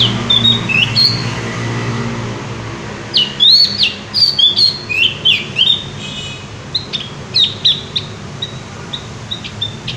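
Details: Javan white-eye singing vigorously, fast irregular series of high, sharp chirps and slurred whistles packed closely together for most of the recording, above a low steady hum.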